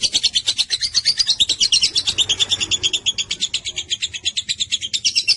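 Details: Lovebird in a drawn-out ngekek, a chatter played to get any lovebird to answer: loud, piercing ticks in quick succession, strongest early, then slightly softer but still continuous to the end.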